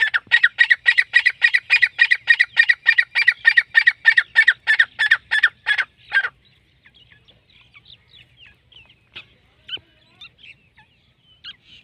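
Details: Partridge giving a fast, loud series of harsh, evenly spaced notes, about three or four a second for six seconds, then falling quiet with scattered faint chirps and clicks.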